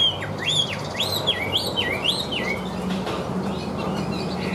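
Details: Song of a Chinese hwamei, described as singing well with an even voice: looping, rolling whistled phrases that rise and drop, repeated about twice a second, over constant background hum.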